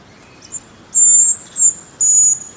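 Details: Hazel grouse whistling: thin, piercing, very high notes, a brief faint one followed by three long, level, sustained whistles, each lasting about a third of a second, with quiet background.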